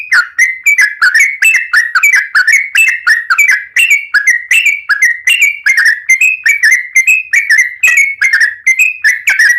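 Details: Yellow-vented Bulbul singing vigorously: loud, bubbly chortling phrases of liquid whistled notes, repeated about two to three times a second without letup, clear and close with no other sounds.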